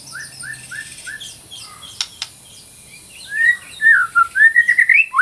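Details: White-rumped shama in lively song, used as training audio for shamas that have gone silent. Four short, even whistled notes come first, then a sharp double click and a loud, fluid warbling phrase that rises toward the end.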